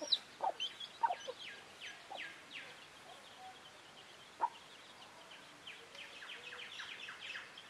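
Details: Chickens with chicks: a few sharp clucks at the start, then a lull, then a stream of thin, descending chick peeps over steady background noise.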